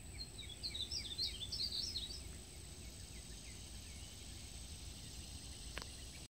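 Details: Singing male painted bunting (Passerina ciris) perched in a tree in Gilbert, South Carolina, gives one quick, sweet warbled phrase of high jumbled notes lasting about two seconds, over a steady high insect drone and low rumble.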